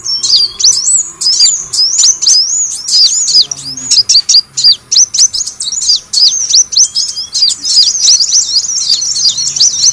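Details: Kolibri wulung sunbird in a recording meant to attract birds: continuous, busy, high-pitched twittering of swooping chirps, dense and overlapping throughout.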